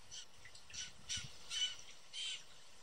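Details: Four young, hungry blue jays screaming and calling at backyard bird feeders in Southern Ontario, Canada. Four harsh, raspy squawks, each about a quarter second long, come in quick succession with short gaps between them.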